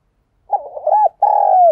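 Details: Caged Spotted Dove used as a decoy, recorded directly: a jerky series of low wavering coos, a short pause, then a long steady coo that slides down at the end. No other sounds.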